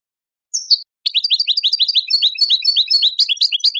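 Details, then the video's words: European goldfinch song for breeding stimulation and training: one high introductory note, a short pause, then a fast continuous chatter of bright, twittering syllables, about four per second. "improving goldfinch singing skills exercises and training"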